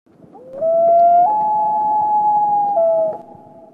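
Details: A Common Loon gives its wail, a contact call between a pair or adult and chick: a long, mournful, howl-like tone that rises, steps up higher, holds, then drops back near its end.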